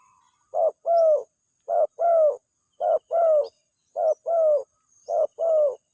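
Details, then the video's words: Lure calling of a spotted dove that wild birds answer right away: five paired coos, each a brief low note followed by a longer, smoother, gently descending one, evenly spaced at roughly one-second intervals. "suaranya langsung direspon, pikat burung tekukur"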